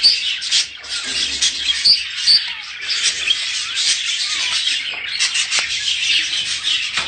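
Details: Breeding-stimulation sound of budgerigars: a continuous stream of high, squeaky, twittering chatter with sharp clicks, several birds seemingly calling at once.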